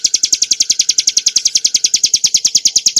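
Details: A hill prinia sings for cage-bird training: sharp, high notes repeated rapidly and evenly, each note accompanied by a low soft beat.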